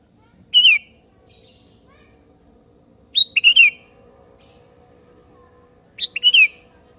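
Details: Sooty-headed bulbul (kebo type) calling a rival, which answers: three short bubbly whistled phrases, each a quick rising-and-falling warble, spaced about every three seconds, with faint soft chips between.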